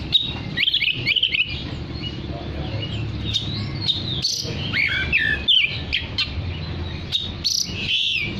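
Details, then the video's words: Lively oriental magpie-robin song used to draw other magpie-robins: scattered bright whistles and chattering notes, broken by short gaps, with a steady low rumble underneath. "Terapi Suara kacer gacor untuk memanggil kacer lain dijamin langsung ikut bunyi"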